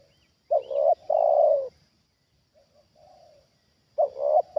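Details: Spotted dove kept as a trained decoy, calling as a wild bird comes down for the second time; deep hollow coos, a broken double note leading into a long falling tone, then soft quieter notes before the phrase restarts.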